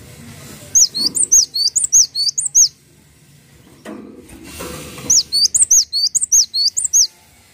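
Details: Cinereous tit (gelatik watu) in a tutor recording: two long runs of about ten fast, high, clipped whistled notes each, the notes bending down then up, with a low hum in the pause between.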